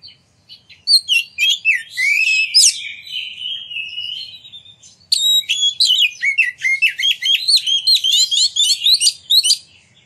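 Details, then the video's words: Oriental magpie-robin song, used as a lure to provoke other magpie-robins to sing and display: sweeping whistles and a long slurred phrase, a short pause, then a fast burst of crisp repeated chirps. "Pancingan Kacer Gacor Ngeplong Nembak! Buat Kacer Lain Ikut Buka Ekor Keluar Isian"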